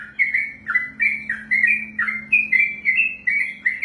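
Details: Brief burst of ropelan singing by a kept sooty-headed bulbul: mellow whistled notes, each rising slightly then dipping, repeated in a lively chain over a low steady hum.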